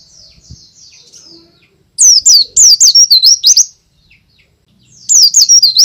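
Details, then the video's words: Lure song of a white-eye in peak form, loud and continuous: faint thin notes first, then a strong phrase of rapid looping high whistles, a short break, and a second similar phrase starting. "pleci gacor ngalas suara keras cocok untuk pancingan bahan"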